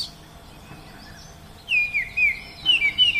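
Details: An Oriental magpie-robin in natural surroundings, silent at first, then breaking into a quick run of about five loud whistled notes, each sliding downward.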